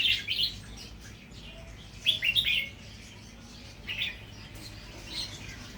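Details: Red-whiskered bulbul of natural song style starting to give doubled phrases; three quick chirpy warbles, each a tight cluster of rising and falling notes, spaced about two seconds apart.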